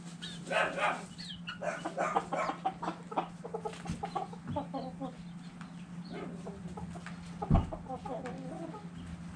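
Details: Chickens and roosters dirt bathing, giving frequent short clucks and murmuring calls in irregular bursts, with a steady low hum throughout and a sharp knock near the end.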